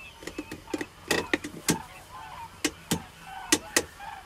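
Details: Common cranes calling: a run of short, harsh honking notes with strong harmonics, given in quick irregular bursts, some doubled, several louder calls standing out over a faint background hum.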